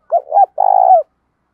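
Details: Spotted dove, captive, male or female call used to stimulate trained doves: a rising then wavering double coo and a drawn-out purring coo ending in a drop.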